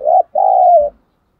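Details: Decoy spotted dove cooing to lure and challenge wild doves, in the thổ voice style. One brief hollow note followed by a long, steady, slightly falling coo, then silence.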